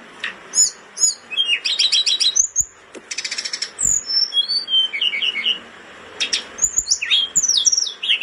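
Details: Blood-breasted flowerpecker song, a bird in breeding condition singing intensely: a rapid, very high string of thin ticks, sharp chirps and buzzy trills, with short pauses between bursts. Finding: Blood-breasted Flowerpecker.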